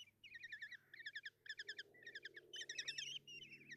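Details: Nest-box kestrel chicks in Hungary call as the female feeds them breakfast, 30 June 2024. Short groups of three to five sharp, quavering chips come in fast runs separated by brief pauses.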